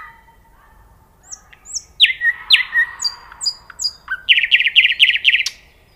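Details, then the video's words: Nightingale singing: soft low notes give way to loud, downward-slurred whistles and thin high notes, then a fast run of repeated, rattling notes before it stops. "صوت العندليب"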